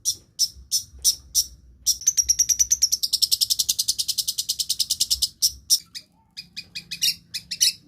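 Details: Long-tailed shrike copying other species' songs. Spaced sharp chips lead into a long fast trill of high pulsed notes, then scattered clipped notes and a short burst of quick high chirps.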